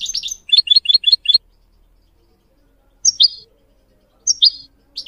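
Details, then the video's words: Goldfinch training song for young birds: a fast group of five sharp chirps, then paired slurred notes repeated at intervals of about 1.3 seconds. "Teaching goldfinch mules and canary to song"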